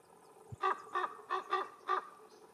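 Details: Canarian raven, an endemic subspecies, recorded in Gran Canaria in July 2022: five hoarse, nasal croaks in quick succession, each a rough harmonic-rich note under half a second, over a quiet background.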